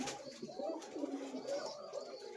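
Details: Koka pigeon, a farm-bred domestic breed kept for breeding and known for a thin-voiced call, heard indoors among pairs raising chicks: soft, low, wavering coos rising and falling, with faint room noise.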